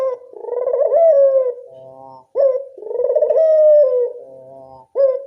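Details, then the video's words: Barbary dove of local stock, its call used as a lure to attract doves: repeated rolling coos, each rising into a long steady note then dropping to a soft, low, buzzy murmur before the next. "Pancingan burung puter lokal"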